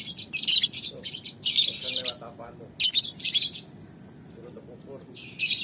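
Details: Lovebirds set outside in the sun, giving loud bursts of harsh, high-pitched chattering chirps in irregular clusters, with quieter low murmuring in the background.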